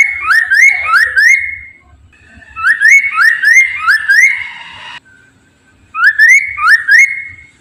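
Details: Chinese hwamei song used to draw other hwameis into singing. Three bursts of quick, rising whistled slurs, each run of four or five notes followed by a brief silence, with faint low thumps underneath.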